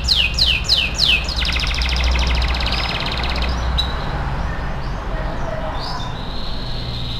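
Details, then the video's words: Singing canary, recorded to train other canaries: four quick downward-swooping whistles, then a long even mechanical-sounding trill, followed by soft scattered notes and a thin held whistle against a continuous low droning hum. "MASTERAN KENARI AF GACOR"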